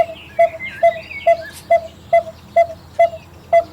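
A coppersmith barbet gives a steady series of hollow, metallic 'tuk' notes, about two per second, with faint chirps of other birds behind.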